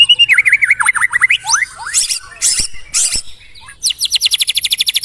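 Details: White-rumped shama giving varied whistled phrases with V-shaped dips and upslurs, a few harsh broadband bursts, then a rapid high trill.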